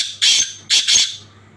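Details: Black francolin calling: two loud, harsh, rasping bursts in quick succession, the second split into two grating notes, then quiet background.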